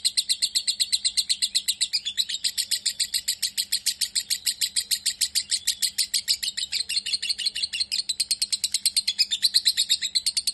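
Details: A fighter-type lovebird keeps up an unbroken, dense stream of shrill, buzzy chirps at an even, quick pace throughout.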